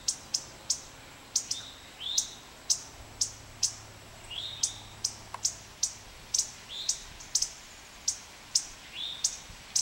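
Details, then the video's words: A male indigo bunting defending its nest gives sharp, dry spit calls about twice a second, with a few short downslurred chirps mixed in. "indigo bunting spit calls"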